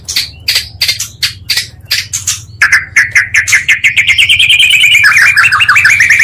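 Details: Oriental magpie-robin song used to rile up other magpie-robins: separated sharp clicks and chips at first, then a fast continuous rolling trill of rising notes that speeds into a dense warble.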